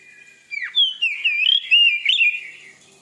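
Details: Song of a white-rumped shama, used to stir another shama into singing: a rich, fluid run of rising and falling whistles and slurred warbles, lasting about two seconds after a short thin opening note.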